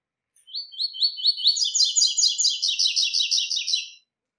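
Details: Brown-plumaged double-collared seedeater delivering its 'tui tui' three-note song, a fast series of high chipping notes that starts with spaced chirps and builds into a steady, buzzy, even trill lasting about three and a half seconds, with no other sounds.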